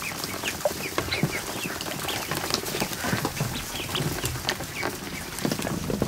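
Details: Ducklings newly out of the egg, a hundred-plus in a kiddie pool set up in a barn, afternoon: rapid high peeps scattered across the chorus, mixed with frequent splashes and flapping in the water.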